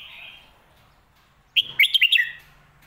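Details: Red-whiskered bulbul giving a song in the popular style known as phat kuay teow or mae bot: after quiet, a short burst of five or six loud, clear, bouncing whistled notes, rising and falling, lasting under a second.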